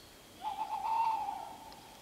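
A tawny owl gives a single drawn-out, slightly wavering hoot lasting about a second against a quiet background.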